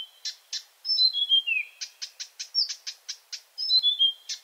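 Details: Marsh Warbler singing at night: a descending whistled phrase dropping in steps, framed by a steady series of short sharp ticking notes at about four or five per second.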